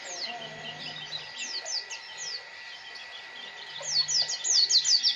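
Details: Scattered high descending chirps from a white-eye (pleci) build into a loud, rapid flurry of sharp downslurred whistles at the end, with a faint low hum underneath.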